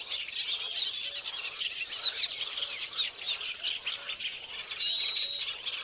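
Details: Violet-backed starling (Cinnyricinclus leucogaster), call.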